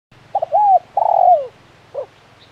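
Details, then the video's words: Spotted dove (tekukur) in the crisp 'kuk 1' calling style: two quick low notes, a rising-falling coo, then a long, rough, falling coo, with a short coo trailing after. "Suara Burung Tekukur Gacor KUK 1 Mersik"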